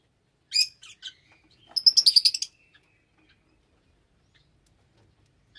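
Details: A lovebird gives a shrill squawk, then a quick run of about eight rapid, harsh chirps, followed by silence.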